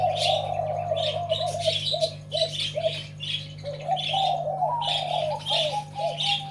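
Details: Zebra dove singing in the double-voice style, a continuous run of quick, bubbling mid-pitched coos rising and falling, with chirping birds above and a steady low electrical hum beneath.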